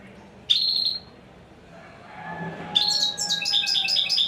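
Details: A single bright note from a royal goldfinch, a pause with a faint steady tone, then a fast, tinkling run of high repeated twitters.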